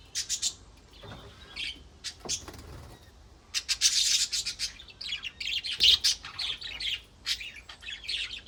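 Budgerigars warble in a fast, scratchy stream of high chirps, clicks and squeaky notes.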